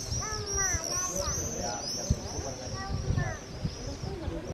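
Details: Common swifts flying acrobatically near their nests in the walls of an old cathedral give thin, shrill, high screams almost without a break, over lower chirps that may be voices or other birds, and a steady low rumble.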